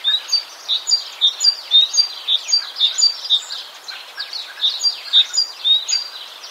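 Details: Great tit (Parus major) in Cyprus singing bright, high two-note phrases, repeated roughly twice a second in a busy, ringing stream, with faint chirps from other birds behind.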